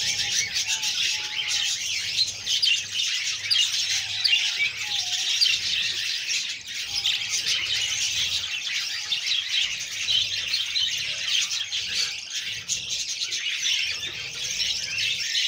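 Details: Budgerigar young fed by the female keep up a long, even wash of harsh, raspy begging chatter with little variation over the whole stretch.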